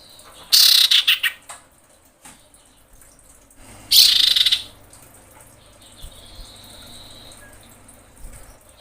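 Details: Female common iora calling males during breeding, lure sound: two loud grating rattles of fast pulses about three seconds apart, then a thin whistled note and quieter scattered ticks.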